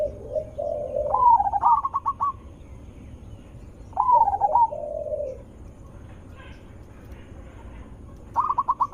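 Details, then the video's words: Zebra dove, loud melodious lure voice meant to provoke other zebra doves into calling back: low purring coos leading into quick staccato note runs, repeated twice, then faint higher chatter and another stuttered phrase. "Suara Besar Merdu ampuh untuk pancingan burung perkutut"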